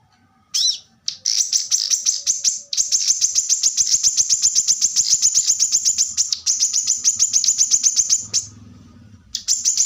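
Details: Plain-throated sunbird, known locally as kolibri kelapa, giving a gacor song with rapid-fire 'tembakan rapat' shots: dense, high, sharp notes run together into a long fast trill, broken by brief pauses.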